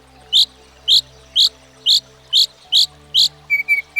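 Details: Northern Mockingbird, a common American backyard bird that can learn up to 200 sounds, repeating a sharp, bright chirp about every half second seven times, then switching to a quick series of thinner, higher whistled notes.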